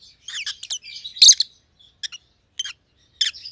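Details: Rosy-faced lovebirds, a white-headed pallid opaline and a green opaline kept as pets, chatter in a buzzy flurry followed by single sharp chirps spaced about half a second apart.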